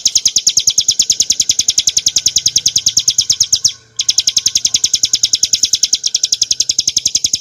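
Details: Clear bar-winged prinia song for tutoring and luring cage birds: rapid high chips in a continuous stream, a brief gap midway, then the same fast, even repetition carries on.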